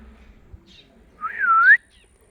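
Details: Pet blue Indian ringneck parakeet giving a single clear whistle, about half a second long, that dips and then rises, over a low background hum.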